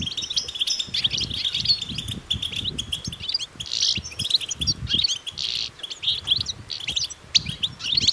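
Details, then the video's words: European goldfinches twittering together outdoors in nature, mating and readiness calls meant to stir males into song: dense bright chirps and short trills overlapping nonstop, with a low rumble of wind or background noise beneath. "بتبتة جماعية رهيبة للحسون وسط الطبيعة"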